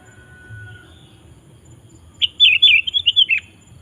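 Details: Gacor song of a sooty-headed bulbul, played to lure wild bulbuls into song: a thin steady whistle is heard first, then after a pause a brisk burst of rippling, bubbly notes lasting just over a second.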